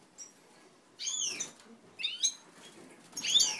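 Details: Native Italian goldfinches during pairing, recorded 20 March 2012, give three brief bursts of bright, descending, twittery notes roughly a second apart, with faint rustling between them.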